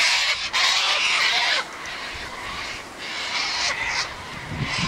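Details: Flock of Sulphur-crested cockatoos that habitually gather here, squawking loudly: a long grating screech over a second long, followed by repeated shorter harsh rasping calls from several birds.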